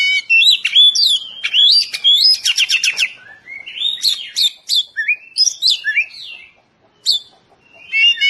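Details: Oriental magpie-robin song used as training material for caged birds, in a dense, rapid style: varied whistled phrases sweeping up and down, sharp rattling trills and buzzy notes in quick succession, with brief pauses between bursts.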